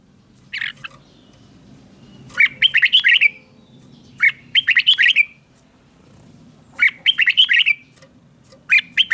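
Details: Thailand red-whiskered bulbul, southern master-style song for stimulating caged birds and training young: repeated short bubbly phrases of five or six notes, roughly every two seconds, over soft low hum.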